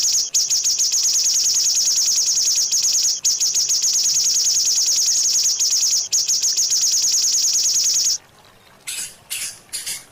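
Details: White-rumped shama (murai batu) on a training recording for caged birds, full rich fill-in song: a dense, rapid high trill of buzzy notes held for about eight seconds, then a short pause and brief high bursts.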